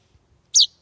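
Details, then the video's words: Near half past eight on a July evening in 2020, a young chaffinch under ferns at an open door utters one loud, bright chirp that drops in pitch, after a brief faint rustle. "Sleeping baby bird - chaffinch / Magav linnupoeg - metsvint (Fringilla coelebs)"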